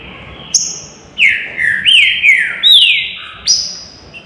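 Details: Green-winged saltator in a cage on a flight stand, delivering a series of loud whistled notes, each dipping or arching then sliding down, about five phrases in quick succession with a thin high note at the start and end.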